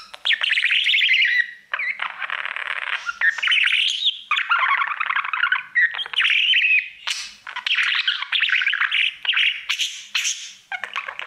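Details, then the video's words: Male budgerigar, a household pet, singing to his mirror in a nearly unbroken stream of bright chattering warbles, raspy buzzes and whistled notes. "3 Hour Budgie sounds | Cookie and his Mirror singing"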